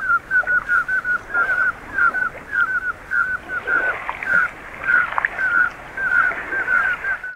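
Common scoters give short, piping whistled notes on one pitch, repeated rapidly and overlapping as several birds call together, over faint background hiss.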